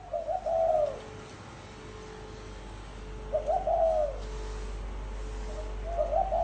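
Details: Spotted dove in gáy gù style: two full and one partial low cooing phrase, each a quick rolled run ending in a drawn hoot, over a steady electrical hum.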